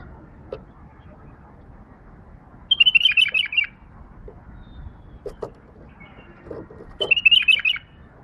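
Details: Pet female bulbul singing: two short bursts of bright, rapid warbled chirps about four seconds apart, with soft clicks and low background rumble between them.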